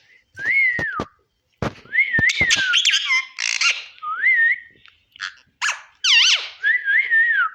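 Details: Parrot chattering while it eats: wavering whistled phrases that rise and fall, mixed with sharp clicks, brief squawks and crunching sounds in a small room.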